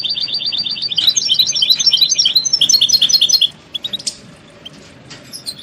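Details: European goldfinches give rapid mating and readiness calls meant to wake a silent caged male into song; quick repeated tinkling chips in a dense run for three seconds, then sparse single tweets over soft hiss.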